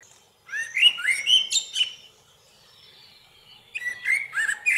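Two unhurried Common Blackbird phrases, mellow fluted warbling ending in high squeaky twitters, separated by a two-second pause.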